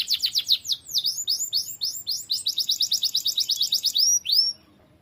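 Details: Energetic canary song recorded to tutor other birds, made of quick sweeping whistled notes that run into a fast, even trill of rising chirps and then end in a few separate upslurred notes.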